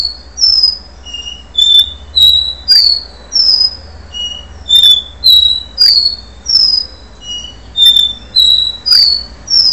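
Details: A long do-re-mi song from a capuchino seedeater before moult: around seventeen pure whistled notes in an even rhythm, cycling through several distinct pitches like a repeated scale, over a faint low hum.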